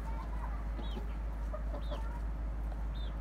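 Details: Domestic chickens, a rooster with hens and grown chicks, in a family coop: low scattered clucks and short murmurs with several thin, high, arched peeps over a steady low hum.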